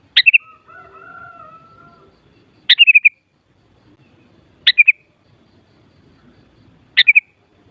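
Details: Sooty-headed bulbul song used to raise a kutilang's excitement so it answers: four clipped, sharp two-part warbled phrases every two seconds or so, with a brief faint hum early on.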